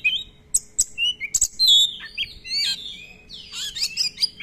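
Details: Kacer (Oriental magpie-robin) in a lure recording packed with long rolls and filler songs: sharp high whistles and clicks open into rich warbling, with buzzy, scratchy passages and quick mixed notes.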